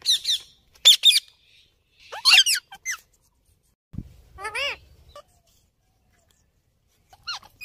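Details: Ringneck parrot calling: sharp, squeaky chirps in short bursts, each a quick falling or rising note, separated by brief silences, with a faint low thump midway.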